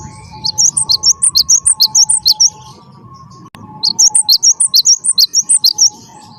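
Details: Cinereous Tit (gelatik batu wingko) in lively song, two fast phrases of high, clear alternating notes, each a dozen or so quick chips, separated by a short pause, with a constant low hum underneath.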